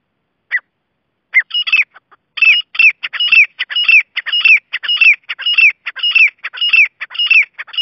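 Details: Grey francolin calling: after single short notes, a rhythmic series of phrases, each a scratchy burst ending in a clear downslurred whistle, repeated about twice per second in a steady, insistent chant.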